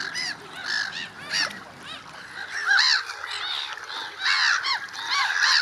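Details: Gulls in early spring giving short, arched, ringing yelps in quick clusters, louder bursts coming every second or so against a background of more distant calling birds.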